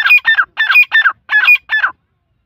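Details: Loud, harsh grating calls of an Iranian grey partridge, given in doubled bursts: three quick pairs of rasping, squeaky notes separated by brief silences, then the series stops.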